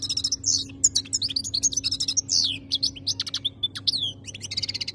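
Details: Caged European goldfinch from Algeria in continuous song: rapid tinkling twitters, descending slurred whistles and buzzy notes run together, over a faint constant hum.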